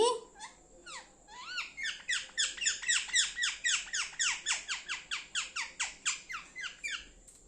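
A rose-ringed parakeet chirps in a fast run of sharp, high, down-slurred notes, about four a second, indoors.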